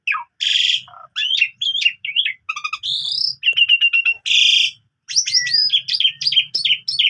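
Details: Morning song of a caged Asian pied starling kept as a singing model for young canaries: buzzy bursts, bouncy whistled notes, rapid repeated clicks and a closing string of bright rising whistles.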